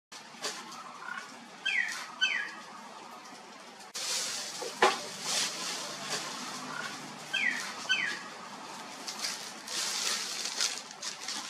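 A common myna gives two pairs of quick, sliding whistled notes, a few seconds apart, over a steady hiss of wind or distant noise.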